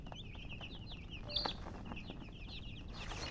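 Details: Baby chickens give a busy run of shrill little peeps, several calling at once, with a brief louder chirp near the middle over faint low noise.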